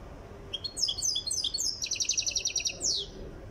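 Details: A European goldfinch from Tiaret, Algeria, in song training, gives varied high chirps that run into a fast, evenly repeated buzzy trill, finishing with a sweeping downslurred note.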